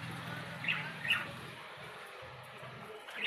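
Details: Budgerigar (Melopsittacus undulatus) chicks begging while being hand-fed: a few short, high chirps about half a second apart over a steady low hum.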